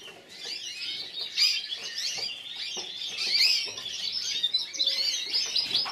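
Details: Yellow frosted lipochrome canary, runner-up in the individual class at the 2014 Burgos competition, sings a dense, continuous warbling song of rapid rolls, trills and bright whistled notes, with no other sounds.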